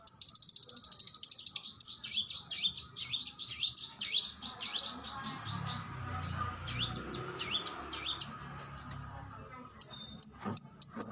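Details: Kacer, the Oriental magpie-robin, delivering varied sharp whistled phrases and downslurred high notes in uneven bursts with short pauses, part of a master song recording of fierce shots meant to cow rival birds; faint low background rumble.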